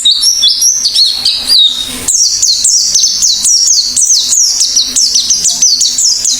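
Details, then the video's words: Oriental white-eye singing actively: a brisk, tumbling series of high, sweet twitters and downward-sliding whistles, repeated rapidly with barely a break, over a quiet constant low hum. "Burung PLECI GACOR BUKA PARUH"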